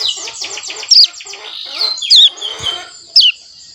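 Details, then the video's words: Mountain prinia youngster over one month old learning to sing: soft high twitter broken by three loud, sharp downslurred whistled notes about a second apart. "Cigun Paud Belajar Bunyi Umur 1 Bulan Lebih Aktif Ngeriwik"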